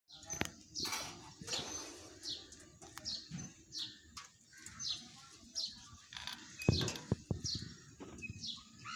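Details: Alexandrine parakeet giving a run of short, shrill, downward-sweeping chirps, repeated about every half second to a second, with some louder bursts near the middle and faint rustling and clicks underneath.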